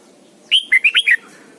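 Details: Caged decoy red-whiskered bulbul singing in the morning during training: one short phrase of five clear whistled notes, the first high and sliding down, then quick warbled notes dropping in pitch, over faint low background hum.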